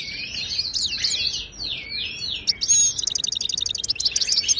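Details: Wild Moroccan European goldfinch song, played to tutor silent caged birds. A fast, liquid twittering of high tinkling and sliding notes, then a rapid run of evenly repeated bright chips that rises in intensity. No other sounds.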